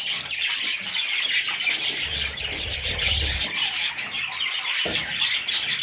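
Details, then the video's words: Baby parrot chicks giving a dense, continuous chorus of high, scratchy chirps from many birds at once, with low thumps of handling noise around the middle. "Baby Parrots – Sweet Little Chicks!"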